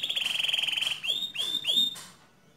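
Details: Gacor canary singing, used to train other canaries: a rapid buzzy trill held for about a second, then three loud whistled notes that each sweep steeply downward, fading to quiet.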